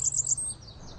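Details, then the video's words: Blackburnian warbler singing in a small residential woodlot in Rochester during migration season: very thin, high-pitched notes climbing to an extremely high ending, with a faint low rumble underneath. "Blackburnian warbler singing. It's got the high-pitched song that rises and ends on an extremely high note."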